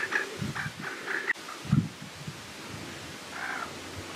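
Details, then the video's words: White-tailed ptarmigan calling: a short low grunting cluck near the middle, preceded by faint thin high notes and followed by a brief soft higher-pitched sound, over quiet outdoor background. "White-tailed Ptarmigan"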